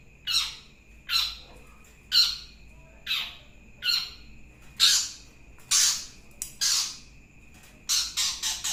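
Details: Long-tailed shrike uttering a series of rasping, downward-sweeping squawks at an uneven pace, the last few coming faster and fuller; a constant thin tone hums in the background.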